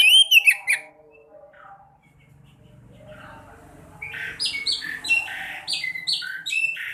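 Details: Lure recording of sekoci song played to make silent caged birds start singing: a few quick high chirps, a quiet pause with low background hum, then a rapid run of short, high, bright notes.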